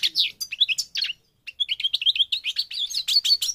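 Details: Moroccan Parva goldfinch, North Africa, delivering a rapid stream of liquid, twittering notes after a brief pause, becoming denser and more continuous toward the end.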